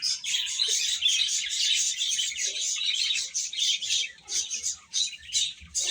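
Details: Baby chickens chirping while eating: a dense chorus of high, rapid overlapping peeps from many chicks, with faint low tapping underneath.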